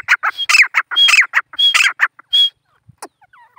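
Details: Grey francolin calling: a series of loud, rasping, grating phrases with piercing whistled notes, then the calling stops and only faint soft sounds remain.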